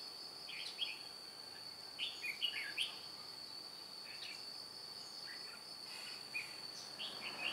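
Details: Red-whiskered bulbul used as a decoy in trapping, a white-cheeked bird flicking its wings and tail, recorded 2 July 2018: short bubbly whistled phrases repeat every second or two over a steady high insect drone.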